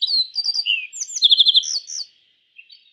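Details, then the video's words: Yellow bunting song: a quick run of high, sharp chirps and slurred whistles with a fast rattling trill, ending after two seconds with a soft short note, over a steady high-pitched background hiss. "Suara Burung YELLOW BUNTING - YELLOW BUNTING Bird Sound"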